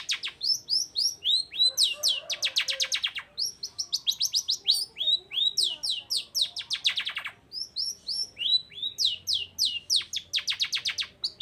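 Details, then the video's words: Long-tailed shrike in prolific, varied song meant to get silent birds singing along: repeated cycles of quick descending chirps followed by dense rattling trills, roughly four notes per second throughout. "CENDET GACOR ❗RAJANYA DONGKRAK EMOSI CENDET DIAM LANGSUNG NYAUT GACOR IKUTAN BUNYI"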